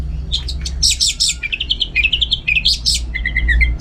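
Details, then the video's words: Orange-headed thrush at home in North Bali pouring out a dense, fast song of chattering notes and stepped whistled phrases, continuous through the whole clip, with low hum behind. "Super Kicauan ANIS MERAH Gacor"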